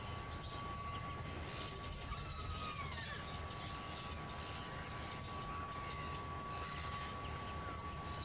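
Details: A Eurasian wren at Vuelta Ostrera sings a fast run of very high, sharp notes and trills lasting several seconds, over a steady faint whine and a low background rumble.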